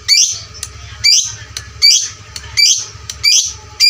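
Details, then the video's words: Rapid loud lovebird squawks for fighter-lovebird training: harsh, shrill rasping calls repeated about every three-quarters of a second, each followed by a faint click. "pancingan LB FIGHTER volume suara kerasnya paling gesit ciptakan lovebird fighter juara"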